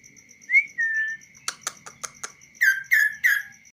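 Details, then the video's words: Hand-tamed kaso-kaso bird singing uncaged: a rising slurred whistle and a drawn-out note, then a quick run of dry clicking notes, ending with three strong descending whistles in even succession. "BURUNG KASO KASO GACOR DI TANGAN TANPA SANGKAR"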